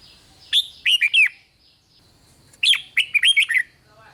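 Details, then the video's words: Red-whiskered bulbul song to stir other bulbuls: two crisp phrases of four or five rising and falling whistled notes, clean and loud over near silence. "เสียงนกกรงหัวจุก ร้อง ริก ยั้วให้นกคึกดีมาก"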